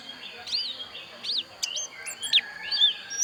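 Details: Javan white-eye, the Bali dakun type from Pupuan, giving a few high, thin, sweeping whistled notes and short chirps spaced across the phrase, over faint background hiss.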